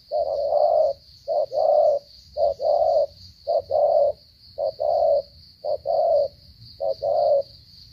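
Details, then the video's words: Spotted dove from Cà Mau in stuttering coo style: steady series of low paired coos, a clipped note then a longer rounded one, roughly every second, against a continuous high-pitched whine. "thổ trận âm tốt giao long lở gù cà lăm"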